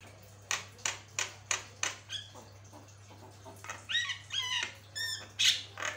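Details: Very vocal Javan myna recorded for training other birds: a rapid series of sharp, dry clicks, followed by a cluster of rising and falling whistled notes and a final harsh rasping burst, low hum throughout.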